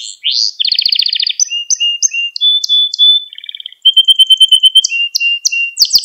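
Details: Canary training song for young canaries: a rising sweep, a dense rattling trill, spaced whistled notes, a brief gap, then a bright high trill over lower whistles and sharp closing chips.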